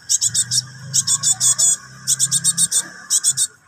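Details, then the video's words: Cinereous tit nestling, nyerecet calling to its parent: four rapid clusters of four to six coarse buzzy rasps, evenly paced, with a low droning background. "SUARA ANAKAN BURUNG GELATIK BATU NYERECET MEMANGGIL INDUKAN"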